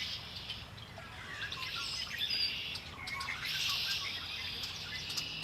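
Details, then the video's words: Songbirds by Lake Erie, giving quick chirps and short trills, some sliding whistles, building to a denser chorus toward the end. "Birds singing by Lake Erie"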